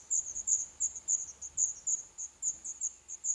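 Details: Nestling black redstarts in a nest in an old furnace pipe of a building set for demolition in Poland, on the eleventh day. A loud, steady run of shrill, high-pitched squeaks repeats several times per second without pause.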